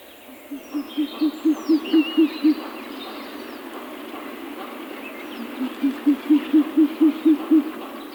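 An owl gives two runs of about eight low, soft hoots, quick and evenly spaced, with faint high bird whistles in the background.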